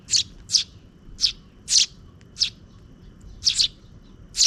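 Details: Sparrow chicks, two, fed by a parent bird near dusk; loud high chirps repeated irregularly, some in quick pairs, roughly two per second, with a quiet background.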